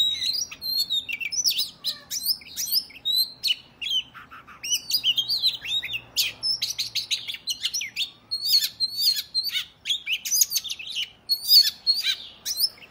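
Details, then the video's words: Energetic 'ngobra' fighting song of an Oriental magpie-robin, or kacer, intended to make other males spread their tails; long run of varied whistles, sharp clicks and scratchy notes, densely packed, with a brief softer stretch midway. "Kacer gacor tarung ngobra dijamin Kacer lain langsung ngeplay Buka Ekor !!"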